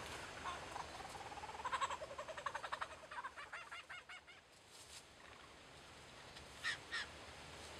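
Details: Lyrebirds mimicking kookaburras and laser guns: a rapid run of sharp, pulsed notes, about four per second, weakening toward the middle, then two brief bright notes near the end over steady background hiss.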